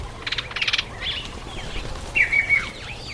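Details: A male Southern masked weaver (Ploceus velatus) in breeding plumage, in the September–October breeding season, gives a rapid burst of buzzy, rattling chatter, then a few wheezy, swizzling and sweeping high notes over a soft outdoor background.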